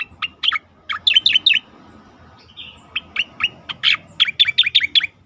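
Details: Striated grassbird singing 'tembakan' style for training and provoking other birds: clusters of sharp, rapid chirps with high whistled accents, a brief pause, then a denser rattling series of bright notes.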